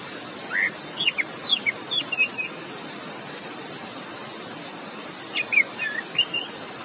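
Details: Orange-headed thrush singing in relaxed, open 'ngeplong' style, offered as a lure to spur silent birds: scattered clear whistled notes and short slurred phrases, rising and falling, in two bursts, over a steady hiss of rushing water.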